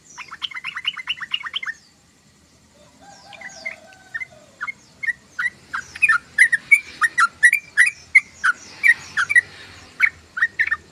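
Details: Sooty-headed bulbul chattering in the ngoceh style: an opening volley of rapid chirps, a short hush with a soft descending whistle, then loud, evenly spaced bright notes, roughly three per second, over a faint background.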